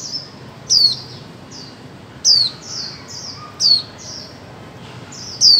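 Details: Female white-eye calling to stir mute birds into song: sharp, high downslurred chirps about every one and a half seconds, each followed by softer thin trailing notes.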